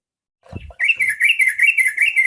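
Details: Yellow-vented bulbul song used as a lure to draw other bulbuls into singing: a soft low knock, then a rapid series of clear, bright, evenly spaced chirping notes with bubbling repetition.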